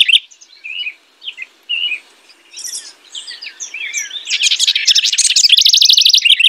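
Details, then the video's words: Singing house wren: scattered soft slurred chirps give way to an accelerating, loud, bubbling rattle of fast repeated notes that carries to the end. "Singing House Wren.(Troglodytes aedon)."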